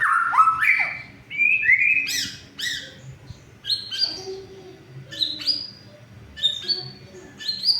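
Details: Shama song used to spark silent birds into singing: slurred whistles dropping from high to mid pitch, then scattered short upward notes, with a low steady hum underneath.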